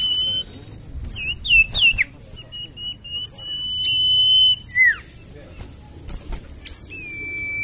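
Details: Whistled song of a common iora, used as a lure for reluctant singers: quick looped notes, then drawn-out level whistles ending in falling slurs, with thin high sweeps between.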